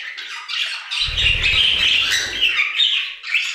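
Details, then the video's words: Several budgerigars singing together in an aviary: continuous warbling chatter of squawks, chirps and trills at high pitch, with brief low rumbling noise through the middle. "Budgie Songs - 1 hour of Budgies singing in the Aviary"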